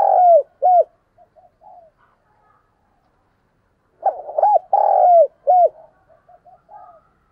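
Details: Spotted dove kept as a decoy bird to draw in others, cooing loudly: a long falling coo and short hooked note, soft murmured notes, then a fuller burst of hooked coos and a long falling note after a silence.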